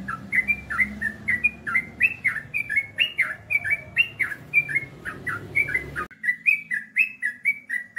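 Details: Sooty-headed bulbul delivering ropel song: a long run of sharp, downslurred whistled notes at roughly two to three per second, steady throughout, with a low hum that drops away partway through.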